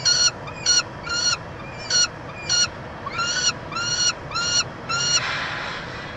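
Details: Peregrine falcons at a University of Montreal nest box in Quebec, Canada, on 22 June 2023, with a chick being fed. About ten loud, ringing, harmonic call notes, unevenly spaced, end in a short burst of noise.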